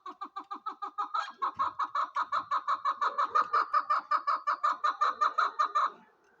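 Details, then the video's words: Loud female chukar partridge call, a fast rhythmic string of clear clucking chuck notes, roughly two to three per second, ending abruptly after six seconds. "Female chakor voice||Female chakor sound|| Chukar voice"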